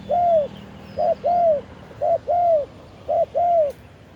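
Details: Decoy spotted dove singing to lure wild doves, recorded live: three clear phrases, each a brief coo followed by a longer, smoothly arched mellow coo, evenly spaced over a quiet background.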